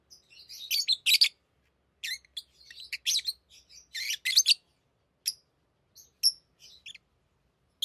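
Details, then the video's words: Tamed lovebirds chattering during ring play: dense bursts of rasping high chirps early on, then sparser short squeaks and thin whistled notes, with a soft low hum. "Love birds Talking | Singing Sounds"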